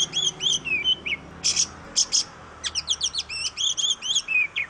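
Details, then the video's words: Kacer, the oriental magpie-robin of Indonesia, sings a few whistled slurs, then two harsh rasping bursts, then a fast series of repeated downward-sweeping whistled notes ending in a falling phrase. "KICAU BURUNG KACER YANG MERDU || MAGPIE ROBIN VOICE"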